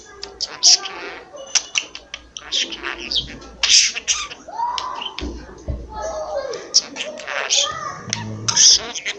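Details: Talking pet budgerigar at home, known for clear word mimicry and coughing; busy, buzzy chatter with sharp clicks and squeaky syllables, plus a lower human-like voice in the middle.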